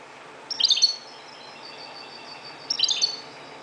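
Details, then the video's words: European goldfinch of the Moroccan type singing before daybreak: two quick, sparkling twittered bursts about two seconds apart, joined by a faint drawn-out high whistle, with low background hum. "JILGUERO **تغريد حسون مغربي ** CHANT CHARDONNERET MAROCAIN"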